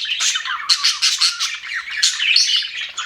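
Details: Budgerigars chirping happily in an aviary: rapid bursts of bright, buzzy chirps and short squeaky notes, a few clearer whistled tones among the scratchy chatter.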